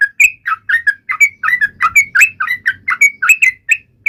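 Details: Yellow-vented bulbul taunting rivals with rapid bubbly whistles, short liquid notes rising and falling, about four per second, closely spaced and loud, over a faint low hum.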